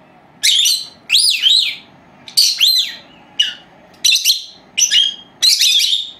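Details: Two four-month-old female lovebirds (Agapornis) kept at home, recorded while napping by an old camera left running; sharp chirping calls in bursts roughly every second, some notes rising then falling.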